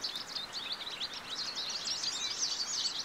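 American goldfinch singing a rapid, twittering run of high, squeaky notes and slurred twitters, tumbling continuously without pause over a faint background hiss.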